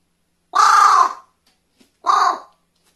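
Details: A captive carrion crow, over-excited, gives two strange, harsh, hoarse caws about a second and a half apart, the first longer and the second briefer, with near silence around them; 24 March 2020.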